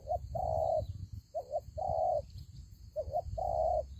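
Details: Decoy-trapped spotted dove giving its cooing phrase three times: a quick wavering double note, then a long level coo, phrases roughly every one and a half seconds, with low rumble and a faint constant high whine behind.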